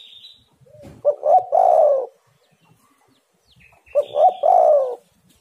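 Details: Spotted dove calling, meant as a lure to get caged doves singing: two phrases of short stuttering coos leading into a long, falling throaty note, with a thin high whistle from another bird at the start.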